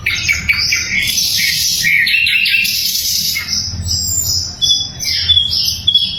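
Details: Sikatan londo flycatcher song, loud and clear, meant to train murai and other songbirds: busy high chatter with thin whistles, then clipped piercing chips and a rising note.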